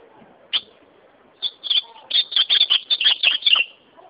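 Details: Singing ultramarine grosbeak, one sharp high note and then a quick, rich phrase of clear warbled notes tumbling rapidly for about two seconds, ending abruptly; quiet background.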